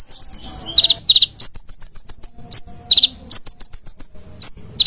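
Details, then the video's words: Energetic konin song used to train cage birds: a busy mix of high thin whistles and quick chirped trills, with short sharp notes dropping a little lower between phrases and a faint low rumble underneath. "Materan burung konin gacor 1jam full"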